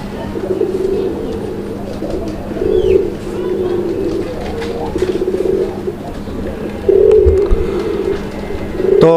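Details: Domestic Madrasi Golla pigeons, a pair kept in Bangladesh and noted for their excellent call, cooing in low throaty bursts with short pauses between phrases, a steady electrical hum underneath and a sharp knock at the end.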